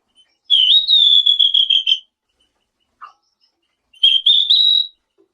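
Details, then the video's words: Lure song of the selendang biru: a long high whistled phrase with rapid flutter, a soft low note in the gap, then a shorter rising whistle. "Suara burung SELENDANG BIRU GACOR"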